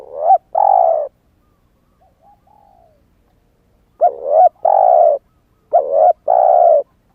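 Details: Spotted dove, a young bird that has just started calling and has not yet moulted its wild plumage, used as a decoy to lure wild doves: low hoarse coos in two-part phrases, a short rising note then a longer steady one, repeated with pauses.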